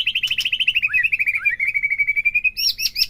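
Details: White-rumped shama song played to a kept bird to trigger singing: a rapid run of pulsed notes gliding gradually downward then levelling, ending in a few harsh high bursts.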